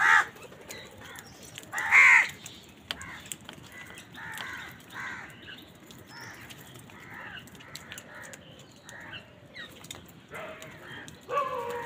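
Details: Many crows on a winter morning, competing with wild birds for food, give harsh, raspy caws at irregular intervals. Loud bursts come at the start, near the two-second mark and again at the close, with quieter caws between.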